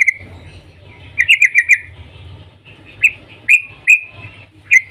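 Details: Yellow-vented bulbul in the morning, used as a call to get other bulbuls singing, gives bright, chirpy notes: a quick run of four, then single notes about every half second, over a faint low hum.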